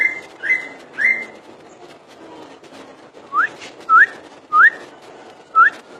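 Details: Common iora whistling: three falling slurred notes, a pause, then four crisp upward-sweeping whistles spaced roughly half a second apart.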